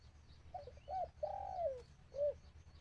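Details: Trapping decoy dove calling out to wild birds: a few stuttering coos, a longer coo, a drawn-out falling coo and a short final coo, with a faint click and steady low hum behind.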